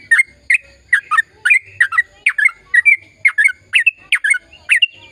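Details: Sooty-headed bulbul giving long, busy gacor song meant to make silent birds sing: a continuous stream of sharp, bubbly chirps, single and doubled, several each second, over a faint constant whistle.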